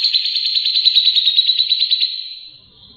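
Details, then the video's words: Grey-cheeked bulbul singing, recorded as tutor song for other songbirds: a fast, pulsing, high trill held for about two seconds before tapering off. "Suara Burung cucak jenggot gacor, bisa buat isian"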